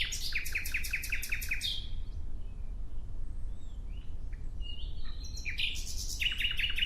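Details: Nightingale singing: a fast series of sharp, repeated clicking notes with high whistled accents, a pause of quieter soft whistles, then another rapid clicking burst at the end.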